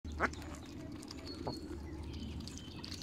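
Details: Mallard duckling in the sun at Longton Park, Stoke-on-Trent, on 30 April 2022, gives one sharp, high peep, then a fainter second peep a second later, over a steady low rumble and soft background hiss.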